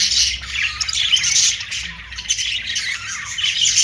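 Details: Budgerigars give harsh, buzzy squawks and chatter in a continuous high jumble, with a few sharper peaks.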